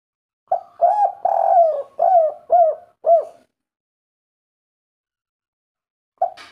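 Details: Spotted dove giving the local-style kuk-3 coo, used as a lure to make other doves call: a run of five deep, rounded coos over about three seconds, then silence and a new coo at the end.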